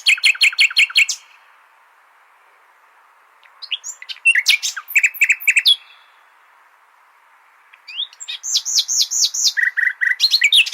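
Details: Common nightingale song meant for training goldfinches: three phrases separated by pauses of about two seconds. Each has rapid rhythmic repeated notes, crisp clicks and trills, with looping whistles and a lower repeated note near the end.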